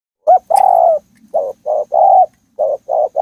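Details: Spotted dove in a forest calling: loud, hollow mid-pitched coos, one short note then a longer one, followed by a run of brief evenly spaced coos in quick succession; otherwise quiet.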